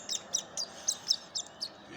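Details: Young woodpecker being hand-fed near Houston while its mother waits up in a tree, giving a quick series of high, sharp chirps about every quarter second.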